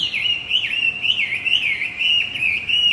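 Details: Continuous high, sweet twittering of a Javan white-eye, used as a lure for a male bird that has gone quiet; the warbling flows without pause, dipping and rising in short slurs over a clean background.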